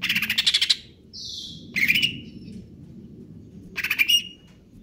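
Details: Greater green leafbird in the kejer nembak singing style. A fast pulsing rattle is followed by a brief smooth high whistle, then a rasping burst and a second stuttering rattle. A low background hum runs throughout.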